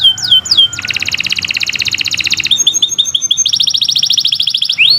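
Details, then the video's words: Kenari Nusantara canary singing a long training song for other birds: a few falling whistles, then a rapid buzzy trill of evenly spaced notes, a short stuttered run, another fast trill and a closing rising slur. "Kicau Burung Kenari 156 II LUAR BIASA GACOR PANJANG Cocok untuk Masteran"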